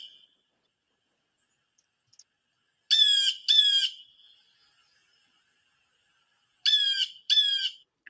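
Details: A Blue Jay gives its harsh, squawking alarm call, which warns other birds of a person approaching in the forest, in two quick pairs like 'thief, thief', about four seconds apart; otherwise quiet.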